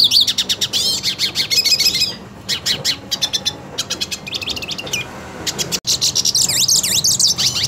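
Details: Purebred hooded siskin singing aggressively toward another of its species, with bursts of fast, high twittering and trilled notes broken by short pauses, and swooping whistled phrases near the end.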